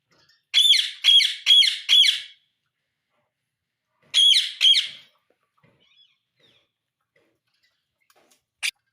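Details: Caged pet parrot giving a rapid series of four harsh, bright squawks, a pause, then three more in a quick burst, followed by near silence and one final sharp note.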